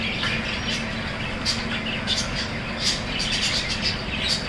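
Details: Chattering budgies giving quick scratchy chirps and squawks in irregular bursts, many calls overlapping, over a constant low rumble in the background.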